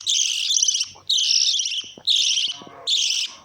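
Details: Lovebird giving four harsh, buzzy screeching bursts, each about half a second long, with short gaps of quiet between them.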